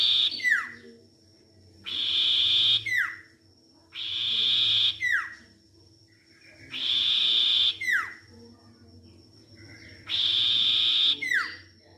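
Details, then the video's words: Sirtu song used as a lure to get a bird singing: a long buzzy, hissing trill about one and a half seconds long, then sharp downslurred whistled notes, the phrase repeating every two seconds over a low steady hum. "pancingan burung sirtu macet bunyi"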